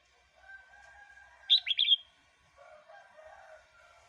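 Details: Red-whiskered bulbul, a recording for luring wild birds or teaching chicks: a single crisp phrase of rapid whistled notes in the middle, surrounded by soft background chirping.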